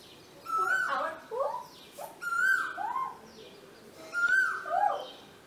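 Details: Male Asian koel at a home in Vidhya Nagar, Hassan, India, trading calls with a woman. A flat whistled note alternates with rising, swooping koo-Ooo phrases, repeated three times over a quiet background.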